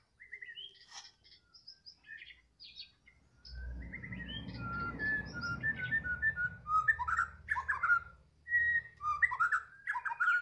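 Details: Medan-type White-rumped shama in afternoon song: clear whistled phrases that rise and fall, broken by a stretch of low rumbling noise, then louder, quick varied whistles and chirps repeated roughly once a second.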